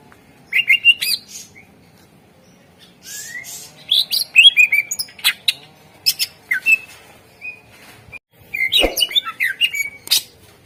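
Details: Greater green leafbird song used as a lure to set other birds singing: fast strings of sharp clicks, whistles and slurred chirps in several bursts, with short quiet gaps between them.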